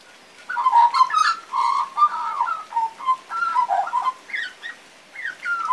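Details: Baby magpie practising its still-imperfect song: a rambling run of mellow warbles, whistles and gurgling notes in quick irregular phrases, ending in a few higher, thinner slurred whistles.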